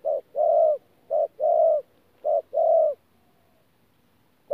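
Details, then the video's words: 'Thổ pha gù' coo of an adult 'bổi' spotted dove, Tu Mơ Rông, 14 January 2019. Three low double-note phrases, short then long, arrive roughly a second apart. A pause follows, and a fresh phrase begins at the end. "BỔI THỔ PHA GÙ QUÁ TỐT"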